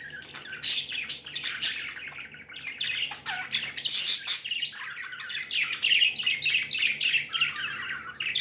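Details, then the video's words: Pet budgerigars chirping happily: dense, fast chatter of buzzy chirps and clicks, rising and falling in loudness, nearly continuous throughout. "Happy budgies chirping sounds"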